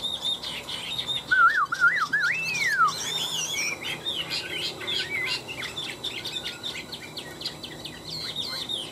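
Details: Fighting song of a tame caged Chinese hwamei, two birds kept three years: a loud wavering looping whistle early on, followed by a rich jumble of varied high warbled phrases.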